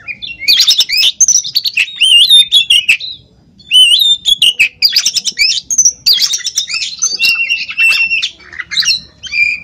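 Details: Uncaged oriental magpie-robin (kacer) from Pemalang, Central Java, Indonesia, delivering long bursts of vigorous song: fast jumbled whistles, trills and scratchy notes, broken by one short silence before resuming.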